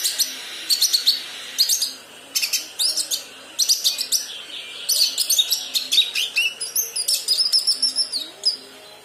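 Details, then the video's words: A young Kinoi learning its song gives rambling, high twittering chirps in quick irregular bursts, with a few clearer sliding whistles. "Burung Kinoi Paud / Anakan belajar bunyi"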